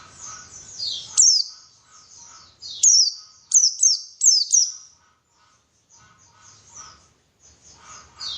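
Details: Pleci, a white-eye, in a lure track meant to spur singing: scattered high descending chirps in short clusters, some grouped in quick pairs and triples, over faint lower background sounds and soft low rumble.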